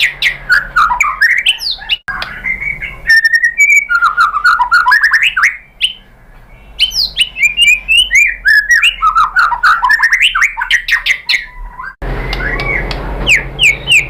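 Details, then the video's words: Rapid, varied song of a white-rumped shama, used as a lure to provoke another shama into song: dense bursts of slurred whistles and chips, a steady note partway, and a rough hum at the end. "MURAI BATU jadi EMOSI NYAUT ikut BUNYI GACOR BONGKAR MATERI dengan PANCINGAN MURAI ini ¦ SHAMA BIRD"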